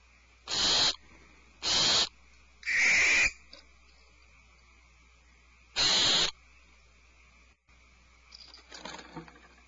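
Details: Alarmed owlets in their nest cavity: four loud hissing screeches, the third lower and harsher, followed by a pause and soft, faint twittering notes near the end.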